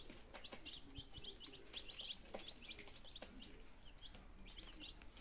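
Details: Group of nineteen two-day-old chicken chicks in Germany, September 2022, trying food and water; many thin high peeps in clusters over a rougher, noisier background with occasional knocks.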